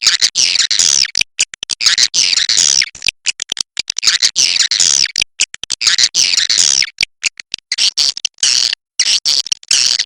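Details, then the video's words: Swiftlets along the Kapuas River: a dense, almost unbroken chorus of harsh, buzzy, high chirps from several birds, each sound clicking in and out rapidly with brief gaps. "SUARA BURUNG WALET SUNGAI KAPUAS"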